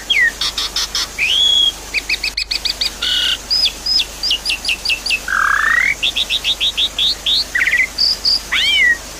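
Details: Javan pied starling singing to stir a caged bird that has gone quiet: stacked chattering notes, sharp repeated whistles in quick series, a rising buzzy sweep and a few curled slurs.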